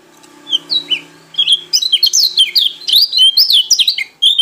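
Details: White-eye of the Lombok/NTT pleci type singing energetically in ngalas style: a few soft downslurred whistles, then a dense, fast run of sharp high chirps and twitters.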